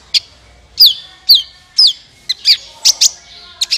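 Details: A sunbird (kolibri ninja), played as a trapping lure, gives a series of sharp, downslurred high notes at about two per second, followed by a quicker pair of loud chips and two thin final notes.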